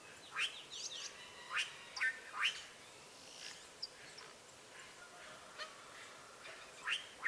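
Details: Wild azure jays fed at a rural smallholding give scattered harsh, raspy calls in short bursts, separated by pauses, over a hiss of background noise and faint chirps of other birds.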